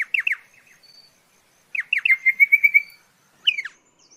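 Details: Pardalote with a pair of sharp descending notes, then a phrase of falling notes running into a fast string of clear chirps, ending with another quick down-slur.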